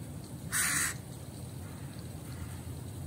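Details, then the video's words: Crow giving a single harsh, hoarse caw of about a third of a second, loud against a steady low rumble and quiet background. "crow sounds loud"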